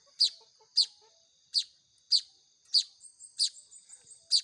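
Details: Young Baya weavers being hand-fed, giving shrill high chirps about every 0.6 seconds, with soft lower twittering and quieter chirps between the loud ones.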